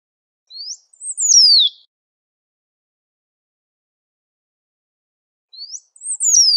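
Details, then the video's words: Great pampa finch, called sabiá-do-banhado, singing in nature: two identical high phrases about five seconds apart, each a thin rising note, then a brief chip and a loud whistle sweeping steeply downward. The background is otherwise silent. "SABIÁ BANHADO CHAMANDO E CANTANDO MUITO NA NATUREZA"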